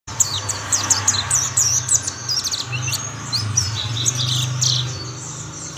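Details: Several mountain white-eyes sing together, others quickly joining in: dense, very high, thin chirps and quick twittering notes overlap throughout, with a steady low hum beneath.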